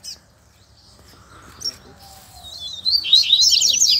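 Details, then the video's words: Double-collared seedeater in the wild in the Brazilian bush, where a chick was heard calling near its parents; quiet at first with faint thin whistles, then a dense burst of rapid, high, sharp twittering notes through the final second. "COLEIRO NO MATO TOP ATÉ FILHOTE PIANDO APARECEU!!!"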